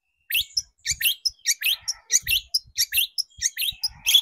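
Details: Long-tailed shrike song used as a lure to excite shrikes into singing: a rapid, varied chatter of short scratchy and twittering notes, closely packed and tumbling on for several seconds without a pause.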